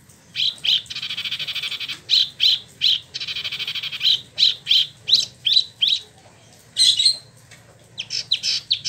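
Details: Caged Spot-throated Babbler, a yearly-kept bird imported from mainland China and Vietnam, freshly moulted, kept in Bandung, West Java, Indonesia, singing in a rolling style: bursts of buzzy high notes alternating with rapid repeated chirps, then loud rising slurs.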